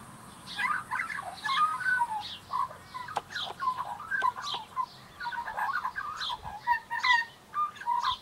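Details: Young Australian magpie practising its song: a continuous rambling warble of fluty, gurgling notes and short whistled slides, with scattered sharp clicks and knocks in the background.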